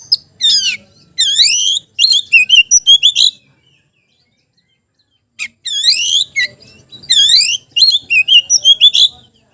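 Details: Oriental magpie-robin calling out a rival, pouring out loud sweeping whistles and quick bursts of five or six sharp repeated notes, then a silent gap before another whistled phrase with rapid strident notes.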